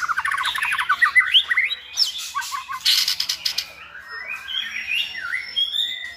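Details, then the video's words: White-rumped shama song used to tutor a selected shama toward many voices; a quick stuttering trill, harsh bursts, then rising and falling whistled phrases growing softer. "NÀI CHÒE LỬA | Đào tạo THANH cho lửa chuyền"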